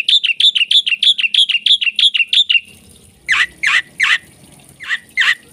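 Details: Black-winged myna in full, lively song: a fast run of about a dozen sharp, whistled high notes repeated evenly, then a few louder, harsher chattering notes spaced about half a second apart.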